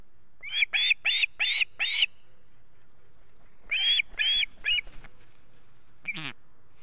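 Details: Osprey chicks at home on the nest in Estonia, 8 August 2018. A rapid run of five loud, harsh squealing notes is followed by a pause, three more similar calls, then one lone downward-sweeping cry.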